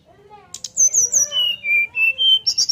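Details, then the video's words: Brown-chested jungle flycatcher kept in a cage, whistling with its beak open to entice other birds to sing along. A string of clear whistled notes steps down from very high to middle pitch, then jumps high again. "Srdc nyuling buka paruh untuk pancing SRDC lain ikut bunyi ampuh"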